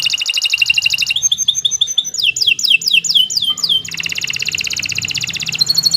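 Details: Canary singing a long master song used to train future champion birds. A dense fast pulsed trill leads into a string of sharp chips and a series of descending swept notes, then a long buzzing high trill.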